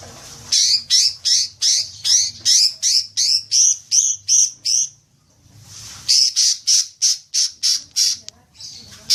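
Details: Green magpie lure recording to trigger long chattering: evenly spaced loud harsh notes, about three per second, in two long series separated by a short pause.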